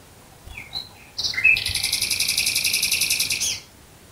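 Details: Nightingale singing at night near Dresden, Germany: soft introductory whistles, then a loud, fast rattling trill of repeated buzzy notes lasting over two seconds before stopping abruptly, against a quiet night background.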